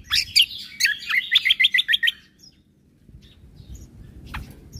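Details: Cucak kombo singing persistently, a master recording for teaching caged birds, late 2022: a quick run of bright, squeaky, repeated high notes lasting two seconds, then near silence with a faint distant chirp.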